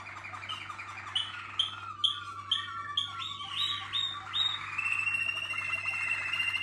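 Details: Waterslager canaries in a team: rolling low trills, then a series of bright, sharp notes about every half second, ending in a sustained, high, continuous rolling phrase.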